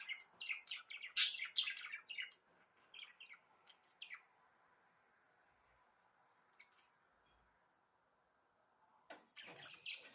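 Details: Budgerigar warbling in brief, busy flurries of high chirps for the first few seconds, then near silence broken by a few faint squeaks and a final burst of chatter.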